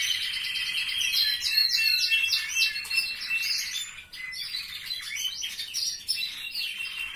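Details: Canaries in a family member's aviary sing loud, rapid warbles, a jumble of whistled slurs and chattering trills repeated many times a second, several birds singing at once.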